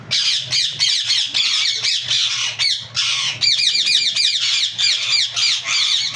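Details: Yellow ringneck parakeet giving loud, harsh, rapid squawks in dense bursts, each note a sharp downslurred screech, repeated several times a second with brief gaps; a low steady hum runs beneath.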